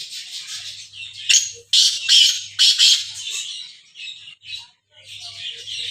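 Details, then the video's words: Black francolin in Sindh giving harsh, grating, broadband calls. Loud rasping bursts cluster between one and three seconds, with softer scratchy notes before and after and a faint low hum underneath. "Kala Teeter"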